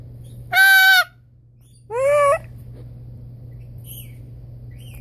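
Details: A pet blue-and-gold macaw playing a copying game with its owner gives two loud, harsh, rasping calls about a second apart, the second rising at the end, over a low steady hum.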